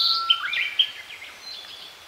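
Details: Song of a Narcissus flycatcher in leafy woodland of northern Harima, central Hyogo, Japan: a steady low whistle gives way to sharp bright notes and twisting warbles that fade into softer high trills.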